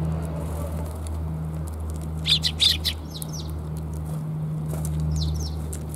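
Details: Sparrows heard on the way home, 17 January 2022: a quick burst of short, high chirps at about two and a half seconds, a couple of softer twitters later, over a steady low hum.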